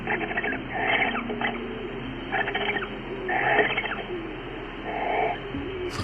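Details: Two British Barn Owls exchanging gentle calls between a pair: soft, rasping bursts recur every second or two over steady background music.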